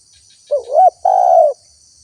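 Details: Single phrase of spotted dove lure calling to bring in wild doves: a short rising wavering coo, a brief pause, then a long steady throaty coo, steady high hiss behind.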